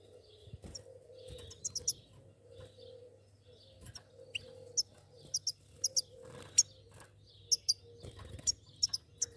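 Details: A pair of goldfinches giving short, sharp, very high chirps and twittering notes in scattered bursts, often doubled, over a steady low hum and a faint continuous mid-pitched tone.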